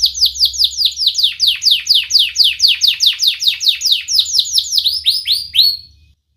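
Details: Canary song used to teach young canaries: a long series of sharp downward-sweeping whistles, about four per second, steady and piercing, speeding slightly toward the end before stopping abruptly.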